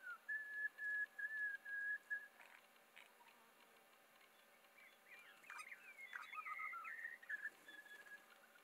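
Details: Spiny-cheeked honeyeater in the Mallee at Patchewollock, Victoria, heard quietly. About two seconds of short whistled notes in quick succession, a pause, then a gurgling, warbled phrase of notes that rise and fall.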